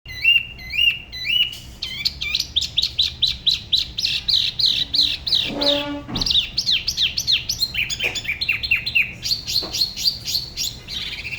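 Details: Spot-throated babbler from Da Lat, La Ba river, singing solo in a style said to differ from other regions: rapid series of clear whistled and hooked notes, repeated phrases shifting pitch, with a brief low harmonic sound near the middle.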